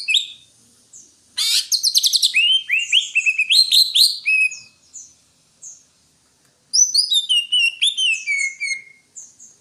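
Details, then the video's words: Greater green leafbird singing a buzzy rattling trill that runs into a string of rising whistled notes, then, after a pause, a quick series of descending high chirps. "Suara burung Cucak Hijau"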